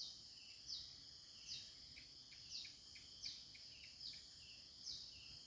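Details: Birds on a countryside morning; a high clear note repeated about every 0.8 seconds with a softer lower chirp after each, over a steady high insect-like buzzing hum.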